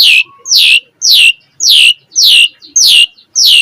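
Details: Asian pied starling recorded for training birds to sing: a loud harsh note sweeping downward, repeated seven times at an even pace of nearly two per second, with quiet gaps between.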